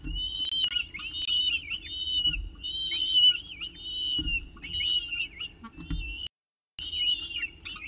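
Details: CSU Orange peregrine falcon nestcam, evening meal on 18 October 2018 at 6:51 pm: rapid bouts of high, quavering, harmonic whining calls, loud and overlapping, with a brief dropout near the end and low background rumble.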